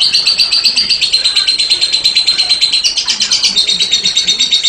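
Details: Rapid rattling 'ngekek' of a lovebird, high chattering pulses running continuously, with a brief pitch step near the three-second mark.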